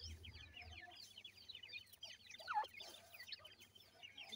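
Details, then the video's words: Feeding grey francolin chicks seven days old: quick series of shrill, downward-sliding peeps from several birds at once, steady and chattering, with a low hum early on. "Voice of Gray Francolin Pheasant bird Chicks"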